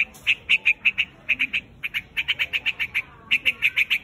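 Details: Clusters of quick, rough chattering notes from a white-headed quạch mốc calling its flock. Runs of four to eight notes are separated by short pauses.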